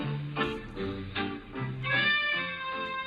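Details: Swing-style instrumental music with plucked strings and a steady beat, and no animal sounds.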